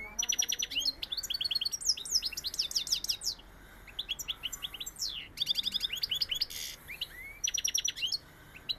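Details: European goldfinch in Sevillian style pours out an extended song of sharp trills, metallic rattles and rising twittered phrases, pausing briefly midway before resuming with rapid stuttering notes.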